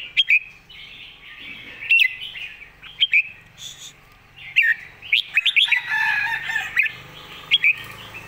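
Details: Red-whiskered bulbul master song used for teaching young birds. Sharp, loud whistled notes repeat at irregular intervals over a background of busy, overlapping warbles.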